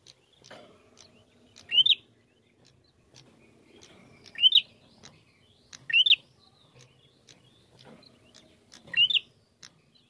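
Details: Bar-winged prinia lure to provoke singing: four short, sharply rising whistled notes spread over ten seconds, each isolated, with faint clicks and low background hum between.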